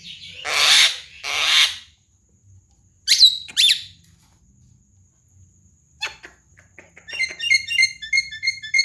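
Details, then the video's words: Javan myna, a talking bird, in a training recording for other birds: two long harsh rasping bursts, sharp rising whistles, then quiet clicks and a rapid series of high repeated chirps. "MASTERAN BURUNG JALAK KEBO SUPER GACOR"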